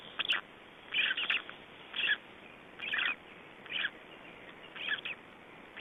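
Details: Black Stork chicks, three days old, recorded in Estonia in 2012, give loud clustered squeaky peeps in bursts roughly every second, each burst a quick run of several high notes, with a soft steady hiss between.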